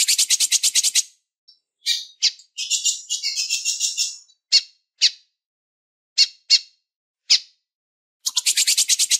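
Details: A female lined seedeater calls to stimulate males. A rapid buzzy trill starts, then a jumbled warbling stretch, then spaced single sharp chips, and a final fast rattle of high notes.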